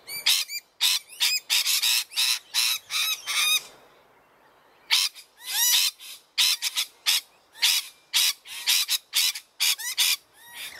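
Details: A noisy pair of rainbow lorikeets close to their backyard nest: harsh, grating screeches and shrill chirps delivered in rapid irregular bursts, with a brief quiet pause before loud screeching starts again.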